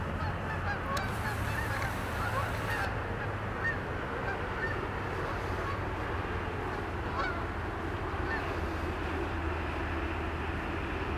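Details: Canada geese over the Allegheny River at Olean, New York, at sunrise; scattered distant honks within a loud low rumble of wind or water, with a brief hiss early on.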